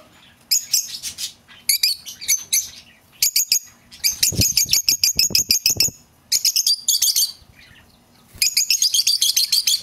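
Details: Lovebird sounds meant to call back a lost bird: long, rapid strings of piercing high chirps in several bursts, broken by short pauses.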